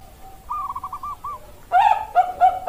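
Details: Bangkok-type zebra dove, Indonesia, October 2023: a soft distant phrase of short rippling notes, a pause, then three loud, burry coos in quick succession.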